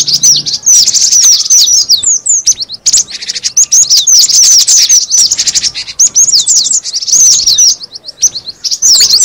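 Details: Cinereous tit call for luring birds: busy, high-pitched chattering of quick slurred chips in clustered bursts, with brief drops between groups.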